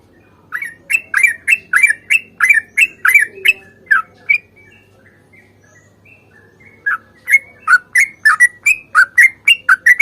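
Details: Fighting song of a sooty-headed bulbul, used as a lure to get birds singing: a quick run of chirpy whistles, a silent gap of about two seconds, then a second fast run.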